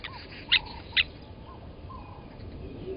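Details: Blacksmith lapwing at a waterhole on Gowrie dam, Djuma Game Reserve, Sabi Sand Wildtuin, South Africa, filmed by a live camera at 07:47 on 08/29/20 as an adult grabbed a chick from the nest and killed it; two sharp, loud metallic clinks half a second apart over faint chirping.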